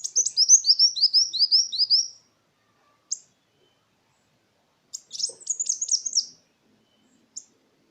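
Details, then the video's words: Sunbird (kolibri wulung) song played to stimulate other birds: a long, fast string of high, thin downslurred notes, then single chips and a second twittering burst. "Suara pancingan burung Kolibri Wulung"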